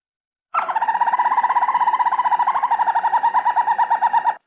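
A Harz Roller canary sings a steady, low, bell-like rolling tour of rapid even pulses for about four seconds, with nothing else audible.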